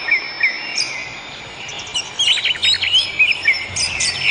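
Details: Wild bird song: soft high whistles early, then a livelier middle and end of rapid chirps and twittering notes, about three to four per second, with light background hiss.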